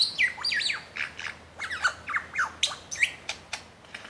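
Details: Superb lyrebird showing off and singing at the bottom of Martin's Lookout, Genbrook Creek: a loud, varied run of steep up-and-down whistled sweeps, harsh squawky notes and sharp clicking snaps, delivered in quick successive phrases.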